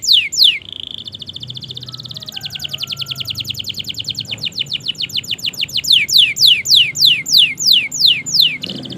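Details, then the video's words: Canary singing at length as a master track for getting silent canaries to sing: swooping notes, a rapid buzzy trill, then loud descending sweeps repeated about twice a second. "Masteran suara Burung Kenari Gacor Panjang Auto Nyaut Kenari Macet dan Paud"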